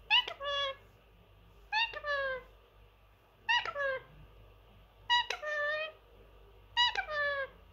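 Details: Three-year-old male Indian ringneck parrot kept as a pet indoors, known for saying phrases. It gives five loud bursts of harmonic, word-like syllables with sliding pitch, about one every one and a half seconds. A quiet room hum sits underneath.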